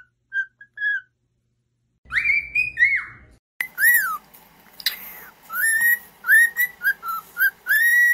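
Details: Cockatiel song played to train pet cockatiels: brief whistles, a loud sliding whistle over low background rumble, then arched, down-slurred and rising whistles with faint broadband noise behind.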